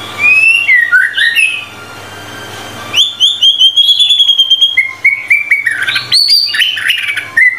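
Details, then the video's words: Training-style song of a White-rumped shama: rich varied whistles and warbles, a quiet pause, then a fast run of bright level notes and sweeping phrases, loud and close over faint low hum. "MURAI BATU GACOR FULL 25 MATERI MASTERAN MEWAH"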